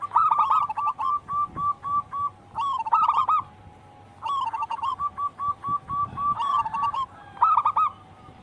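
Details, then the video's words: Local wild zebra dove song used to stimulate caged doves: four bursts of rapid soft cooing notes, each trailing off into a brief silence before the next begins. "Pancingan burung perkutut lokal alam gacor"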